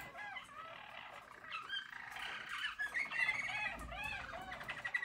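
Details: Yellow Harz (German) Roller canary recorded in 2022, singing soft, rolling trills and warbled phrases, with quick rising and falling notes blending in a continuous stream; identified as Belgian canary.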